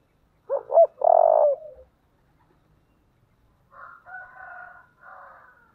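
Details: Spotted dove with a 'giọng thổ đồng' style voice, calling 'thúc' and 'gáy gọi': two quick coos and a long buzzy coo. After a pause, softer higher-pitched raspy notes follow in the background.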